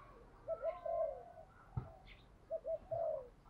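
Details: Spotted doves, male and female, calling to prompt other doves into calling. Two short series of mellow coos, each ending in a longer falling note, are heard faintly over a steady hiss, with one low thump between them.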